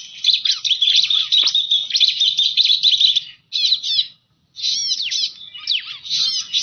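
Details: Bar-winged prinia call played as a bird lure: dense, fast trilling chatter of sharp high notes, continuous for three seconds, then broken into short bursts with gaps.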